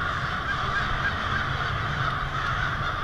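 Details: Hundreds, perhaps thousands, of wild American crows gathering to roost noisily for the night on a residential street in Lansing, Michigan, on an evening in February: a dense, unbroken wall of overlapping harsh caws with steady low rumble beneath.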